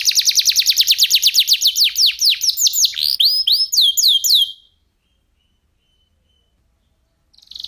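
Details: Crystal-voiced F1SF canary performing a unique cengkok training song for white-rumped shamas. Rapid repeated downslurs slow into looping whistled phrases, then fall silent before a short trill resumes at the end.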